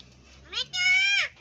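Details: A pet common myna mimics Bengali speech: a short rising note, then a longer steady voiced syllable with a clear ringing, human-like tone.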